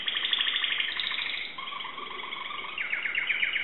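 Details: Timbrado canary from Greece singing: high trills and rolls of repeated notes, then a lower rattling stretch, ending in a series of quick downward-sweeping notes repeated several times a second.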